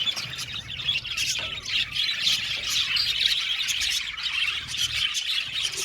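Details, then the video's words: Aviary budgie flock chattering: a constant tangle of sharp high squawks, tweets and warbled chirps from many birds, evenly loud throughout. "Beautiful budgies singing sound | budgies chirping sound"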